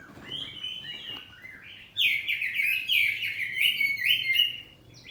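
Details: Home-kept oriental magpie-robin of the poci form singing in the open, full 'ngeplong' style: a soft whistled phrase, then from two seconds a loud burst of rapid whistled notes and trills at a bright, high pitch.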